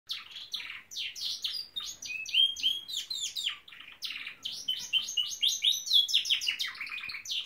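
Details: Norwich canary in full song: fast rolling trills and chattering phrases, high and bright, interrupted by short clear whistled notes and slurred sweeps, with a brief pause near the one-second mark.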